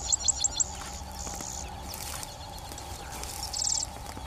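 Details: Sedge Wren (Grass Wren, Cistothorus platensis) at Fazenda Lagoa do Coração, Rio Pardo, Rio Grande do Sul, Brazil, giving four quick, very high chips, then a thin buzzy trill and a later rapid dry rattle, over a steady low hum.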